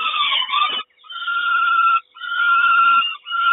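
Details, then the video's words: At a Kawęczyn nest on 3 June 2022, a peregrine falcon mother brings breakfast. A ragged call is followed by two drawn-out, steady, nasal wails, each about a second long. "Sokół Kawęczyn Mama daje śniadanie"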